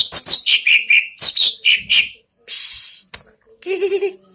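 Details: Competition greater green leafbird singing against another bird to intimidate its rival: two phrases of clear, loud whistled notes that step downward from high to middle pitch, followed by short hissing, rushing noise bursts and a low buzzy sound.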